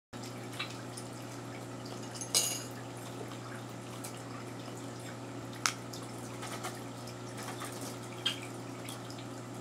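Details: Quiet indoor room tone with a steady low hum, broken by a few sharp drips or taps and small clatters.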